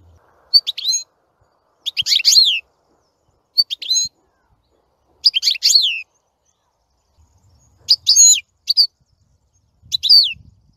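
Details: Singing European goldfinch, likely caged, giving short bursts of bright, twittering, liquid phrases with fast descending slurred notes, each burst under a second, separated by pauses of one to two seconds; background otherwise quiet.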